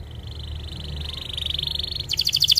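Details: Canary singing as a tutor for young and stalled canaries: a smooth fast high trill strengthening steadily, then switching to sharper, spaced double-pitched notes repeated quickly.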